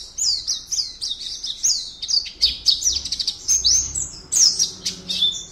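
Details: Competition Oriental white-eye, entrant 52 in an online contest, caged bird from Pontianak, West Kalimantan. It delivers a dense, high, tinkling warble of quick slurred chirps, with a faint low background rumble.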